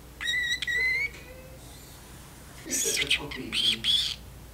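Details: Pet parrotlet chatting in its cage in a kitchen; a clear whistled note sliding upward, a pause, then raspy, breathy high syllables that sound like mimicked speech.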